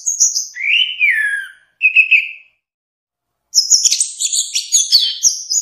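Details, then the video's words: Orange-headed thrush giving a high whistle followed by a long descending slurred whistle and a buzzy note, then after a silence a dense rush of high mixed twittering. "Kumpulan suara istimewa Burung Anis Merah"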